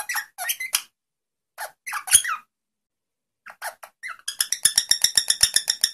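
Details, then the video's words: Rosella singing: scattered clear whistled notes and short slurred phrases, then a fast run of about a dozen evenly spaced, ringing repeated notes at the end. "SONG ROSELLA تغريد طائر الروزيلا الجميل"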